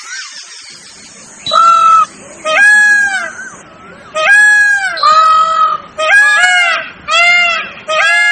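A peacock gives loud, nasal, wailing cries, about six in quick succession, each a brief ringing scream. A thin high hum runs through the opening seconds.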